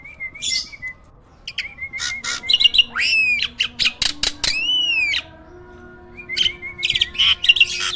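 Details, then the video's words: A hybrid jalak starling in a cage, a master bird for training. Flat whistles lead into loud arching upslurred whistles, sharp clicks and harsh squawking bursts. "JALAK HYBIRD GACOOR!! MASTERNYA PARA JUARA."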